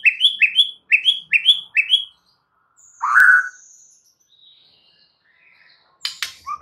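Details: White-rumped shama singing a full 'isian' lure song meant to get other birds singing: five quick rising whistled notes in a row, then a loud burst, a thin high whistle and short chirps.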